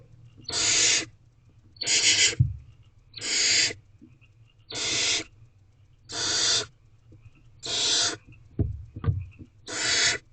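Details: Barn owl at a nest box on 2 May 2023 at 8:16 pm, as the male delivers a rodent and leaves. Seven harsh, rasping hiss bursts of about half a second each come roughly every 1.4 seconds, with faint thumps between them.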